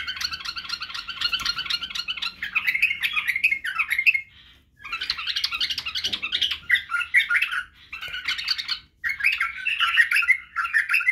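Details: Tutor song for young bulbuls from a white-eared (badrawi) bulbul, covering singing, barwaz and wing-clicking: long runs of busy, scratchy warbling notes in several bursts with short silences between.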